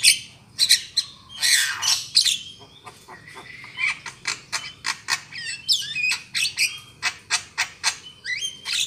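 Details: Lure call of a black-winged myna, played to attract birds for trapping: rapid, dense series of sharp, grating chatter notes with a few squeaky whistled slurs mixed in.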